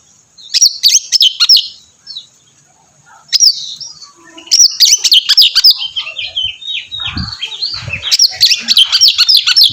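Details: Oriental magpie-robin in full song to prompt another bird to answer: rapid chains of high, twisting whistled notes in bursts, growing denser and continuous toward the end.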